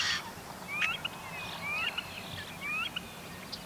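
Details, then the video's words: Yellow-headed Blackbird at a local wetland in May, vocalizing and displaying; harsh, wavering, scraping squeaks like a rusty gate, rising buzzy strokes repeated about every second, with a faint low hum behind. "wait that's a song song actually for them it is"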